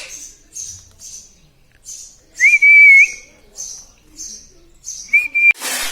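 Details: Pet talking parrot, said to speak "Papa" and "Mummy", produces a clear, steady whistled note, then a shorter one near the end. Soft high chirps recur about every half second throughout, and a burst of noise closes it.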